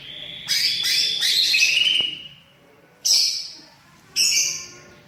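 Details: Greater green leafbird in full song, singing with mimicked phrases of other birds: a loud buzzy twittering burst, then two short bright chirping bursts separated by pauses.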